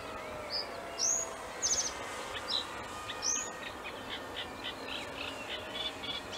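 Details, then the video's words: Male common reed bunting giving a few sharp high slurred notes and a brief trilled stutter, followed by fainter repeated chips in the distance over constant low rushing noise. "Reed Bunting male"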